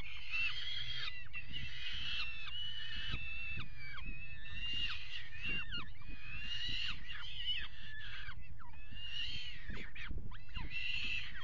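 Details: Peregrine falcons at a water-tower nest box, mating on its edge, 5 February 2018; long run of harsh, grating chatter in grouped phrases with dropping notes, steady low background rumble.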